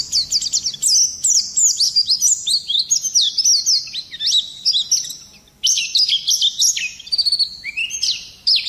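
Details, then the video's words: Oriental white-eye singing hard to provoke other songbirds: long rolling series of high descending whistled slurs, one brief pause, then more rapid sharp twitters and sweeps. "Pleci gacor ngerol nembak kasar cocok mancing emosi"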